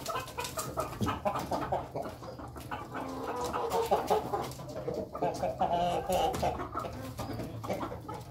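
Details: Ayam Ketawa chickens, a flock feeding together in a coop, giving a steady busy stream of soft overlapping clucks and short chattering notes, with pecking and scratching clatter and faint talk in the background.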